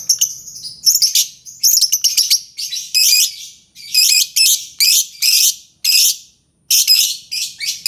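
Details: Albino lovebird producing loud, harsh, grating screeches in short bursts, roughly two a second, with brief gaps and one longer pause near the end.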